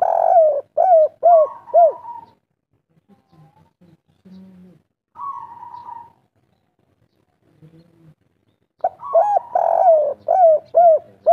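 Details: Spotted dove of the local 'kuk 3' song style, natural voice: bursts of three to four mellow, rounded coos, each with a rising-falling bend, separated by pauses with soft low murmuring notes between phrases.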